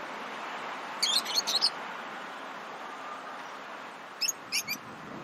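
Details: Lovebirds chirping, a sound they make when playing, eating or excited: two quick clusters of sharp, high chirps about three seconds apart over a steady low hum.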